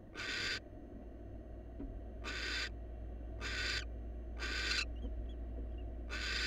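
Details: A wild barn owl from a new pair at a research nest box gives long, hoarse, hissing shrieks, repeated about every two seconds against a constant low electrical hum.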